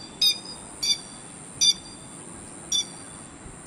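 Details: Grey-headed lapwing calling, played to lure birds for trapping: four loud, clipped, metallic notes spaced about a second apart, with a faint constant high tone underneath.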